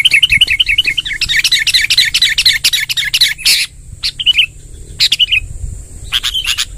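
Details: Sooty-headed bulbul giving a long rolling 'ngerol panjang' song in 'tembakan' style: a loud fast string of bright repeated notes for over three seconds, then sparse single chirps and clicks over a constant high whine.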